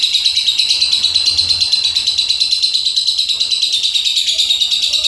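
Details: Lovebird of the Juleha type sings 'rem blong': a steady, high-pitched, buzzing chatter throbbing roughly three times each second, with no other sounds over it.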